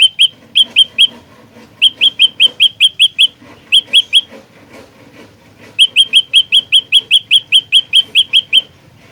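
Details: Olive-backed tailorbird recorded as a trapping lure in a fighter style: sharp, bright chip notes repeated in quick series of three to twelve, about two or three per second, separated by short pauses, over faint low background rumble.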